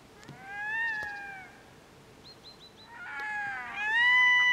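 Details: Red-throated loons: two drawn-out, wailing harmonic calls, the first level and slowly falling, the second rising and more strident toward the end, with a short series of faint higher notes between them.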